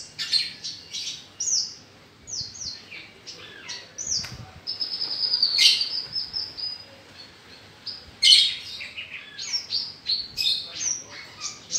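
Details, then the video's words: Australasian bushlark (Mirafra javanica), a kept songbird, producing a long, energetic song of rapid chirps, a sustained high whistle in the middle and dense twittering runs. ""BRANJANGAN" BURUNG SAWAH BERSUARA EMAS"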